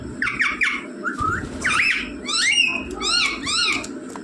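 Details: Rose-ringed parakeet in a room, taught to say mummy and papa: quick rasping syllables, then looping whistled swoops and a series of chevron-shaped squawked notes in steady succession, over faint background music.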